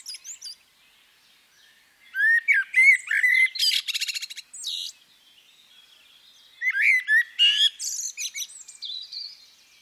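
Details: Female common blackbird voicing two bursts of mixed notes: fluted, wavering whistles mixed with dense, high, scratchy trills and chirps, separated by a pause of about two seconds.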